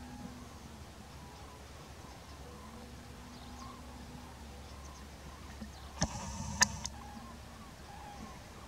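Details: Wintering common cranes arriving at their roost at night in Extremadura, Spain; repeated faint trumpeting calls from many birds throughout, a sudden loud knocking burst near the end, over a low constant hum.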